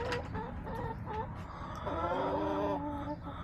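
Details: Hens in a backyard flock on March 30, 2024 cluck in short, uneven notes, then hold a longer harmonic call for about a second, with low background rumble.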